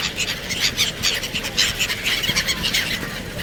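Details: Black-headed gulls recorded in Sharjah on 1 January 2024, many birds giving rough, high squealing cries in quick overlapping bursts, with steady low background rumble.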